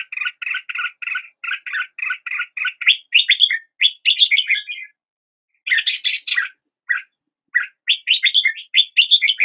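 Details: Red-whiskered bulbul song opening with a long run of evenly spaced chirpy notes, then rising slurred whistles and a harsher burst, ending with quick repeated warbled phrases; no other sounds.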